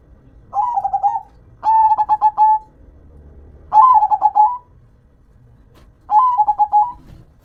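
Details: Local perkutut, the zebra dove, cooing in four crisp phrases of rapid pulsed notes ending in short slurred coos, spaced one to two seconds apart over a faint low background hum.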